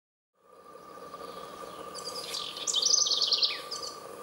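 Eurasian wren song: a loud, very high, rapid burst of shrill notes ending in a fast trill, over a steady low hum of background noise.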